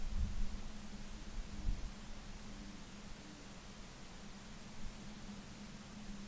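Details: Constant hiss over a low hum, with a few soft thumps early on and no animal calls.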